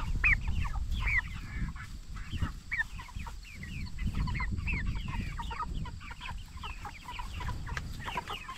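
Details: A flock of jumbo Cornish Cross broiler chickens aged 44 days, kept for meat. They give a rapid stream of short, high, slightly downslurred peeps, several per second, over low rumbling background noise.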